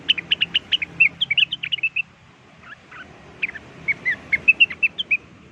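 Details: Blue-winged leafbird song used as a lure: quick series of clear whistled chirps around mid-high pitch, bursts of about a dozen notes, a brief pause, then another varied run of rising and falling whistles.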